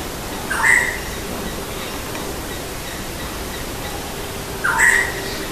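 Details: Black-hooded oriole (Oriolus xanthornus) song: two brief, clear, fluty whistled phrases about four seconds apart, over a steady soft hiss of background noise.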